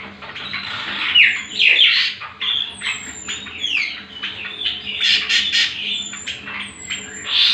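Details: Cucak kombo (greater green leafbird) lure song used as a master for other birds: squawky, buzzy notes broken by high downward-swooping whistles, with a steady busy chatter throughout.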